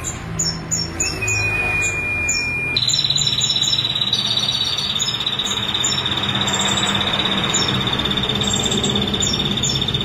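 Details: Female ashy prinia, a training bird, singing continuously: scattered sharp high chirps, then a rapid trill sustained at an even pitch for several seconds over constant hiss.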